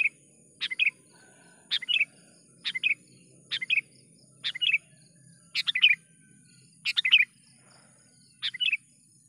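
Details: Lure call of a sooty-headed bulbul used to attract wild birds for trapping: brisk two- to three-note chirped phrases repeated roughly every second, clear and bright against a faint insect-like hiss.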